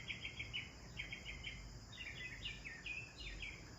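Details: Sparrows chirping while they enjoy a bath: short bright chirps in quick clusters of three or four, a pause, then further downslurred chirp series, over steady low background hum.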